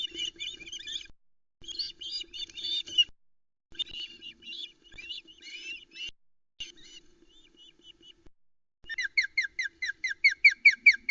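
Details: Female osprey at a nest in Arkaig Community Forest, Loch Arkaig, 12 July 2020, alarm calling at an intruder during a fish delivery. Rough chattering bursts, then a fast run of sharp high whistled chirps about twice a second, over a low steady hum.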